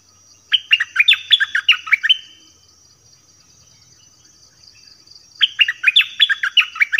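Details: Nok dok taeng song recording played for young birds to learn and copy: a quick burst of sweet whistled, bouncing notes lasting about two seconds, then a pause before a second similar burst, over a faint steady high tone.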